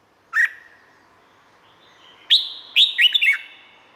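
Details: Red-whiskered bulbul from Thailand: a single sharp note with a lingering whistle, a quiet pause, then a quick phrase of bubbling, downward-sliding liquid notes; song for training cage birds.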